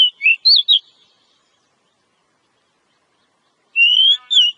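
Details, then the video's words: Wild Oriental magpie-robin, known for its ngobra song style: a quick burst of twisting, up-and-down whistles, then about three seconds of silence, then a rising slurred whistle and a short falling note. "Pancingan suara burung kacer alam"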